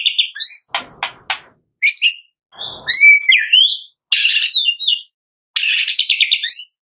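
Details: White-rumped shama of the Medan type in a full, lively morning song to coax caged birds: whistled notes broken by sharp clicks, a rasping burst, a rising whistle, then dense, rattling, high-pitched trills.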